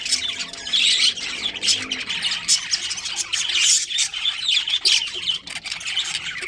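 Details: Budgerigar colony with a breeding pair: twittering high chirps swelling into louder bursts of warbled chatter every second or so, over a faint background hum.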